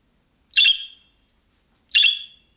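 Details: Two rasping, bright budgerigar chirps about one and a half seconds apart, a young-bird calling style meant to make other budgerigars reply.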